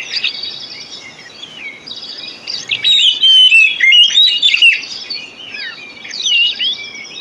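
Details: Oriental magpie-robin song used to encourage sluggish birds to sing. It opens with softer chatter, then a loud, rich outburst of rapid twisting whistles and chirps, followed by quieter scattered notes.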